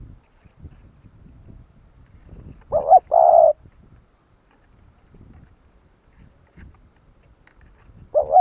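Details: Spotted dove cooing, used to provoke other doves into calling: a quick pair of mellow, low hollow coos followed by a lone coo several seconds later, quiet between.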